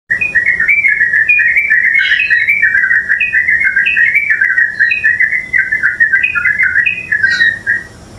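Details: Yellow-vented bulbul in the Philippines giving a continuous run of bubbly, chattering notes around a mid-high pitch, with occasional higher sharp chips, steady throughout over a faint low hum.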